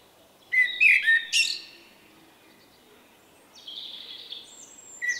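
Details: Male common blackbird with an unusual individual song rendered 'vuippi vuippi vuuu', a shy bird recorded in late March 2024; low mellow whistled phrases around a second long, then a twittery high strained flourish and thin high notes, quiet background.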